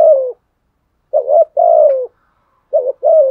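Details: Decoy spotted dove cooing to provoke other doves: three low, hoarse coo phrases, each a short wavering note followed by a longer falling one, separated by pauses of about a second.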